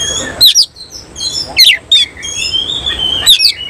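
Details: Oriental magpie-robin of the semi-cililin style singing with tail opened: loud, steeply falling whistled notes in pairs, then a long sustained level whistle, closed by another sharp sweeping phrase.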